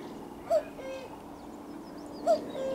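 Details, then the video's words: Common cuckoo calling at close range on 4 June 2023: two short, mid-pitched 'cu' notes about two seconds apart, each trailed by a fainter lower note, with thin chirps of other birds high in the background. "Kukanie kukułki z bliska"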